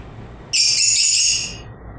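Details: Lovebirds chirping: one shrill, piercing burst of dense high chatter lasting about a second, fading out, over low background hum.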